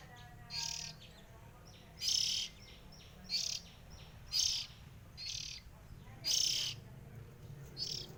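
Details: Three sibling Oriental magpie-robins heard as a series of short, noisy, rasping hisses at fairly even intervals of about one second, with faint soft notes between bursts and a low background drone.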